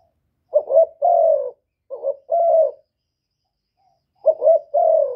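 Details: Spotted dove call to stir up rival doves, no background noise: three low phrases, each a brief stuttering coo then a longer coo sinking slightly, with a longer pause before the last phrase.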